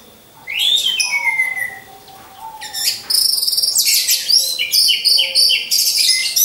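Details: Caged orange-headed thrush in a training lure recording: a falling whistle and soft notes, then a loud sustained stream of fast, varied high twittering and chattering phrases.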